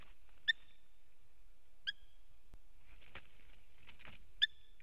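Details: Eurasian hobby pair visiting the nest on the morning of 11 August 2017, male in the nest playing with a pine cone, pair calling to each other: three sharp ringing single notes, one to three seconds apart, over wind rumble and rustling.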